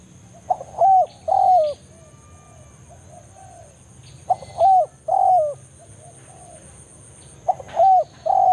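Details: Wild spotted dove in forest calling rivals, used as a trapping lure; three phrases roughly every three seconds, each a clipped note then two hollow coos falling at the end, with a steady high thin tone.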